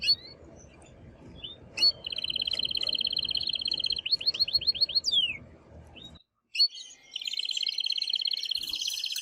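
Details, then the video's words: Excited male canary song aimed at stimulating the female to mate and for chicks to hear: scattered high notes, a long rolling trill, a row of quick rising chirps, a brief silence, then the rolling trill resumes. "تغريد قوي جدا كناري هائج لتسميع الفراخ | canary singing"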